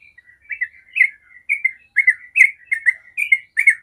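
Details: Short stretch of a Yellow-vented bulbul's 'ropel' song used to draw other bulbuls into singing: warbled, gurgling notes, about two to three bursts per second, each slightly rising then falling.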